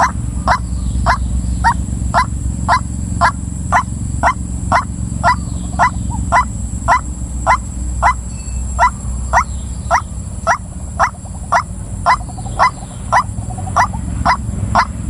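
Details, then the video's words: Female white-breasted waterhen calling repeatedly. Its coarse, clipped croaks come at an even pace of roughly two per second, close to thirty notes over the stretch. A continuous low hum and a thin high-pitched tone persist throughout. "suara ruak ruak betina"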